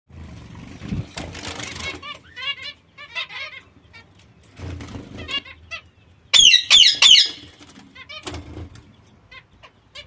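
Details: Young zebra finches with their mother give quick, nasal, buzzy chirps in irregular bursts, with a few louder, sharper calls near the middle; soft wing fluttering is heard between calls.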